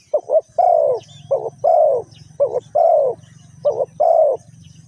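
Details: Cooing of a spotted dove during trapping with a decoy bird, Ninh Thuận, Vietnam: a quick double coo followed by a long rounded coo, repeated four times, over a steady low rumble.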